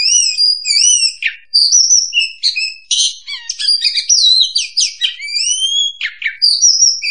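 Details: Oriental magpie-robin song used as a trapping lure: a continuous, rich, rapid medley of sweet whistles, high thin notes, and scratchy chattering bursts. The song runs on without any real pause.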